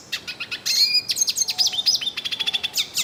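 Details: A yellow-faced siskin sings at length in nature, a rapid chattering string of high, sliding whistled notes and clipped chirps with brief buzzy trills, while another bird gives faint low whistles.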